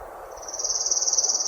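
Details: A male Palm Warbler sings a loose, rattly, even high trill, about a dozen notes a second, growing slightly louder, over faint hum; spring, Orono Bog Boardwalk, Bangor City Forest, Maine.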